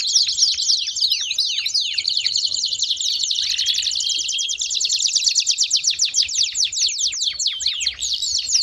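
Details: A baderna chorus of many canaries, for firing up other canaries: dense fast trills and downward chirps run without a break, with a brief lower buzzy note near the middle.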